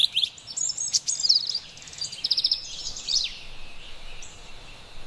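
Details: Carolina wren (Thryothorus ludovicianus) singing in an autumn forest: bright, high twittering phrases and quick trills in short bursts, with a faint steady background hiss.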